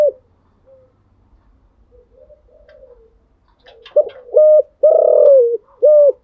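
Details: Kept spotted dove in the morning: faint distant cooing and low rumble, then a loud close phrase of two short coos, a long falling coo and a final short note.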